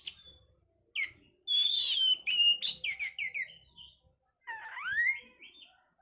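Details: Oriental magpie-robin song meant to bring a bird into breeding condition: sharp upswept chips, a long whistled note, a rapid series of repeated clear notes, then a rising slurred whistle.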